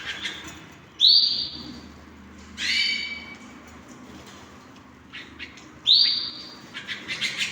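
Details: Indoor hand-tamed canaries giving loud upslurred squeaks about every two to three seconds, with short whistled tones and scattered soft chips in between.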